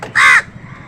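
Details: A single harsh, nasal caw from a crow squabbling with wild birds over food, short and loud, followed by quiet outdoor background.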